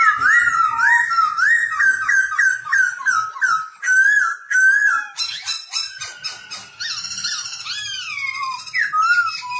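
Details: Caged black-throated laughingthrush singing and dancing to train young birds: a fast series of repeated slurred whistles, then buzzy rattled phrases and chattering, closing with clear swooping notes.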